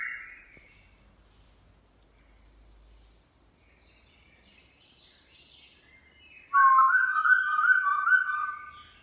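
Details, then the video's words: Newly caught wild Black-throated laughingthrush kept as a cage bird, singing its forest-style song in the morning; faint scattered notes, then a loud burst of rich, warbled, rapidly repeated whistles near the end. "Khướu mun bổi hót giọng rừng cực phê . vào buổi sáng"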